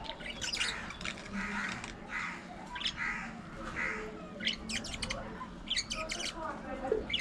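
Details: A group of pet budgies grooming and playing give moderately quiet, continuous warbled chatter with soft buzzy notes and scattered sharp clicking bursts.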